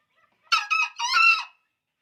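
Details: Green junglefowl rooster, described as a very vocal bird, giving a short hoarse crow in three harsh bursts, the last one longest and strained, on a quiet background.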